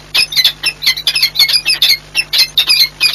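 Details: Peregrine falcons meeting in courtship at Orlen Płock, Poland, on 8 March 2022: harsh, squawking notes repeated rapidly, several per second, over a steady low electrical hum.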